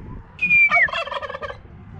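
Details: A domestic turkey on a Polish farm, spoken to by a man on a rainy Saturday while chicks hatch nearby, gives a thin, high sliding note, then a fast, bubbling gobble rattle lasting about a second.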